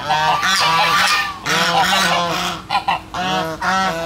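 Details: Domestic geese calling loudly among ducks on 13 August 2016; long, drawn-out harsh honks with strong harmonics, a few short clipped notes near the end, several birds overlapping.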